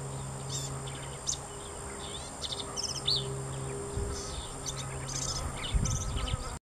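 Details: A singing Black-capped Vireo on the Goodwater Trail, Lake Georgetown, Williamson County, Texas, on 14 April 2019 gives short, varied phrases of sharp chirps and squeaky notes every second or so, over a steady high insect drone and low rumble.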